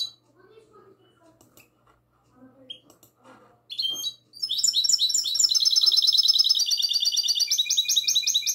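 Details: Goldfinch hybrid singing in classic style, recorded on the night of 22 March 2020: after about four seconds of faint scattered notes, a loud, rapid, high-pitched run of buzzy trills and twittering phrases begins and continues steadily to the end.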